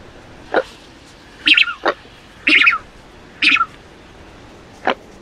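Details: Falkland steamer duck (Tachyeres brachypterus), call.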